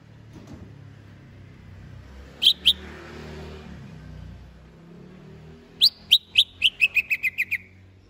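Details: Greater green leafbird being readied for a singing contest: two quick sharp notes, a pause, then a fast run of about nine bright, clipped notes slipping gradually lower in pitch, over a faint low hum.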